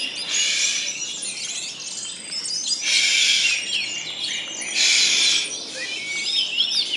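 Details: Orange-headed thrushes (anis merah) in a singing competition, with contestants numbered 13 and 22. Dense, loud, high warbling with rapid whistled slurs and chattering phrases comes in surging bursts near one, three and five seconds.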